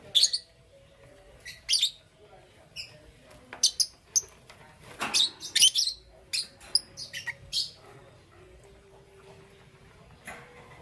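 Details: Captive lovebirds, Parblue Euwing Green Opaline and Green Opaline colour forms, in the morning: short sharp high chirps and squeaky notes in irregular bursts, some quick clusters, with gaps of quiet and faint low background hum.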